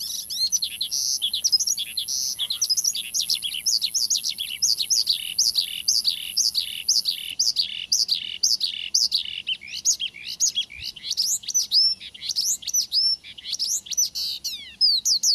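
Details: Javan bush lark male in full song, played to prompt a kept lark to reply. High, sharply swooping notes repeat in a fast run over a steady high hiss, then break into scattered thin whistles and rising slurs.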